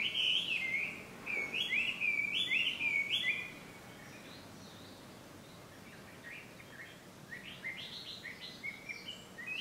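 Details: Chinese hwamei (Garrulax canorus) recorded as ambient sound on 5 June 2020 at Ikimono Fureai no Sato, Japan, giving loud, rich whistled phrases that rise and slur in quick succession, then softer, fainter phrases after a brief pause.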